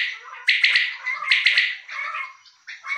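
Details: Common quail male (bulara) in captivity, producing harsh, buzzy clustered notes. Two clear triple-pulsed bursts are followed by softer uneven notes.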